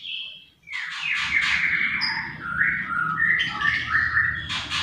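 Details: Greater green leafbird in full lively song: varied slurred whistles and rapid chattering notes, stepping up and down between phrases, over a steady low hum in the background.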